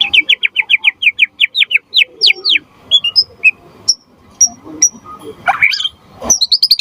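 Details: Singing white-rumped shama, played to lure other shamas into song and to tutor them: a fast series of sharp repeated chip notes, then scattered high whistles and a harsh burst near the end.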